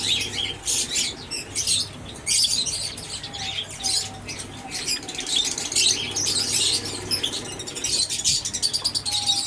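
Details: Java sparrows kept in an aviary: dense, rapid high chirps and clicking notes from several birds overlapping almost continuously, with bursts of wing flapping and a faint low hum underneath.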